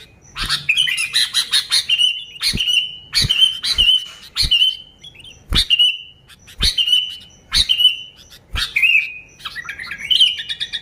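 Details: Sooty-headed bulbul in full song for luring its own kind: brief whistled phrases repeated roughly once a second, each with a sharp click, ending in a faster chattering run.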